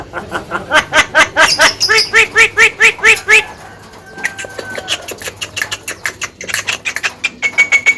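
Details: Javan myna in full song, described as highly vocal and attention-grabbing: a fast series of harsh, harmonic squawky notes repeated about twice per second, pausing midway, then resuming with scratchy chatter and a thin whistled tone.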